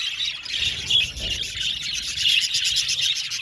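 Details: Colony of budgerigars in an aviary, a thick chorus of rapid high twitters and chirps, with two clearer whistled squeaks breaking out of the steady chatter.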